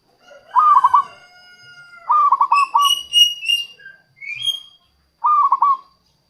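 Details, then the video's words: Local zebra dove song for luring wild doves: stuttering trilled coo phrases at the start, middle and end, with a clearer high whistled note sequence from another bird in between. "suara perkutut lokal untuk pikat dan pancingan"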